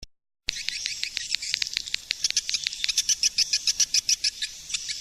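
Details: Swiftlet lure call from 2020, a rapid string of high, dry chirps and clicks that starts after a short silence and grows denser and louder toward the end.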